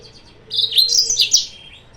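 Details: Yellow-fronted canary singing, played as a lure to provoke rivals: a short burst of quick, high, sweet warbled notes lasting about a second, over a faint steady hum.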